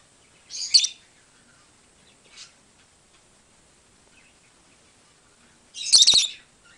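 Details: Calling from a lovebird flock, heard as loud, shrill, squawky chirps: one burst near the start, a brief faint chirp, then a long pause before a second, louder and raspier burst, in a quiet room.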